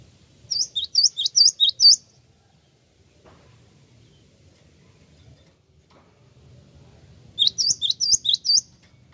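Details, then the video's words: Lure call of the Java sparrow meant to provoke replies: a run of about six bright, piping chirps, a long silence of over five seconds, then a second similar run, with faint low background hum. "Pancingan bunyi gelatik wingko langsung nyaut!!!"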